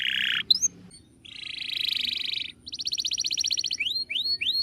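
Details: Canary master song for training birds: a buzzy trill, a long rapid rolling trill, a fast bright repeated-note trill, then three rising whistled sweeps; quiet background.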